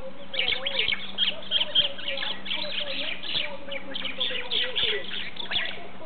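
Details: Several noisy mynas in a tree near Sarjapura village, about 50 km from Bangalore, chatter at once: a steady jumble of harsh, squeaky and gurgling notes, with a lower wavering tone and a faint hum underneath.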